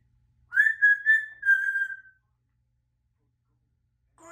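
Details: Pet African grey parrot known as a talking parrot whistling: a clear whistle that rises sharply, wavers in a few pulses, then holds a level, slowly fading note for about one and a half seconds, followed by silence and a brief sound at the end.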